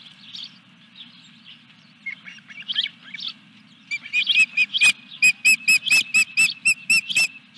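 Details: Osprey at the Dunrovin Ranch nest during a fish delivery on 14 July 2021: scattered soft squeals build into a fast, regular series of loud whistled chirps, about a dozen notes, over a low background hum.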